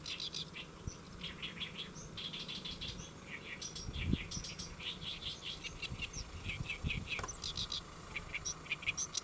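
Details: Great reed warbler singing from a lotus leaf at Saemangeum, Gimje, South Korea, midday 1 July 2024; a long run of grating, rhythmic chattering phrases, harsh notes repeated in quick groups, with steady low rumble beneath.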